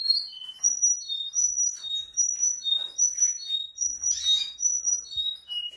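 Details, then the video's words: Singing Russian canary: a string of short, bright chirped notes repeated at a steady pace, alternating high and slightly lower pitches, with one louder rasping burst midway. "Russian Canary Singing|Kanarienvogel Gesang"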